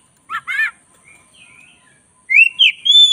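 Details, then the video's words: Vigorous black-breasted Oriental magpie-robin song: two brief buzzy notes, a soft low warble, then loud clear whistles sliding up and down. "10 menit masteran kacer dada hitam GACOR"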